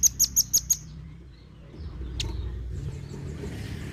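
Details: Velvet-fronted nuthatch, harsh-voiced and sought for training Indonesian songbirds: five sharp, high clipped notes in quick even succession opening the clip, then a single click and a steady low traffic rumble.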